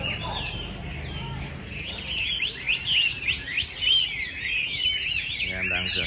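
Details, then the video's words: Caged Chinese hwamei in Hanoi during cold winter days, rehearsing for a singing contest on 17 December: varied, fluid whistled phrases sweeping up and down fill the middle, with a man talking at the start and end. "Tập dượt Hoạ Mi chuẩn bị thi đấu mùa này"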